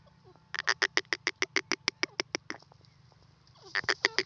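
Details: A grey francolin roaming free, called teetar, delivers a fast series of about twelve harsh, clipped notes. It pauses, then starts another burst at the end, with a low background hum throughout.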